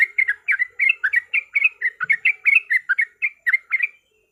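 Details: Yellow-vented bulbul fighting song played to trigger other bulbuls: a clean, brisk series of chirping, slurred notes in even succession, ending abruptly.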